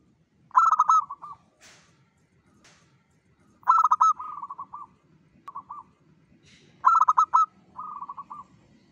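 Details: A local zebra dove sings at dawn as a lure: three loud bursts of fast pulsed coos, each trailing into a softer rolling trill, roughly every three seconds, with faint clicks between.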